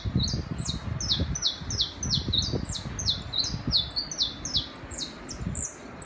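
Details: Saffron finch song in a city setting: a fast, continuous series of high, downward-sliding chips, closely spaced and energetic, with a low background rumble.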